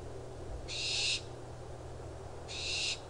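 Barn Owl giving two harsh, hissing shrieks, each about half a second long and broad-band, spaced nearly two seconds apart over a low background hum.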